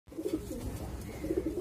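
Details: Pigeons cooing in a low, throaty burble, several rolling coos overlapping through the clip with a soft background hum.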